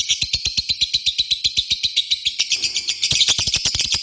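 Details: Lovebird giving ngetik calls followed by a long ngekek trill, used as a lure recording; shrill, continuous chatter with steady ticking beats around four per second, louder toward the end.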